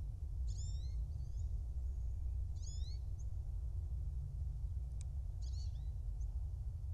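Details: Bald eagles at a nest in Kisatchie National Forest, central Louisiana, on a January morning, giving three thin, high, squeaky chittering calls, each a quick stuttering series of falling notes, over a loud steady low rumble from the nest camera.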